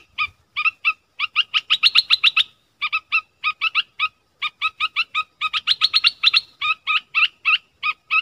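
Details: Dok taeng bird calling a mate in the forest, recorded 13 January 2021 with a decoy bird. Rapid bursts of crisp, bright chirps come in quick runs broken by short pauses, with little background noise.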